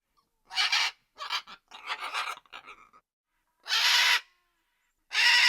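A macaw gives loud, harsh, rasping screeches, three long squawks with a run of shorter, chattering croaks between them.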